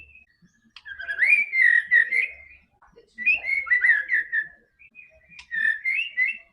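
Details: White-rumped shama singing, meant to prompt a quiet bird into song: three separate phrases of rich, slurred whistles, each about a second long, with clear gaps between them.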